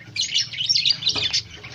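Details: Nasal, twangy chirps pour out rapidly from breeding white zebra finches, with a short sharp note near the end and a low background hum.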